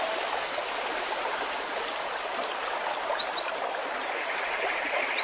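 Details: Full 'isian' song of a cinereous tit (gelatik batu). Piercing, very high descending notes come in pairs, then a longer phrase of five or six varied chips. Another pair follows near the end over a rushing, stream-like background.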